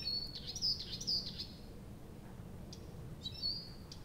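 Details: Night song of a nightingale at Abramtsevo, early June 2021, recording begun at 23:00: a few short, high, piercing whistled notes in quick succession, then a pause and another whistle over steady low background hum.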